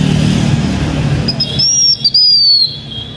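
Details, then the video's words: A Blue-winged minla gives a thin, high whistled phrase that drifts slightly downward for over a second, after a low rumble of engine noise; the singing is used to lure birds. "Khướu lùn cánh xanh hót mồi"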